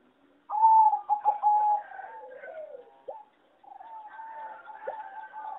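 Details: Zebra dove of a competition singing strain bred on farms, its melody called poor: a loud rolling trill of quick pulses, a softer wavering continuation with a dipping coo, then a quieter sustained purring phrase.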